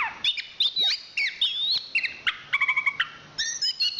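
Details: Chestnut-capped thrush, a Southeast Asian forest songbird and national champion, singing looping whistled notes, a quick run of evenly repeated short pips, then high sustained whistles.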